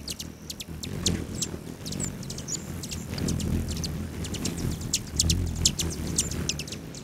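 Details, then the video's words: Hummingbirds feeding outside a lodge at the southern boundary of Great Sand Dunes National Park, Colorado, July morning; dense runs of short, sharp high chips with occasional brief buzzy notes over a steady low rumble. "Ten minutes of Hummingbirds"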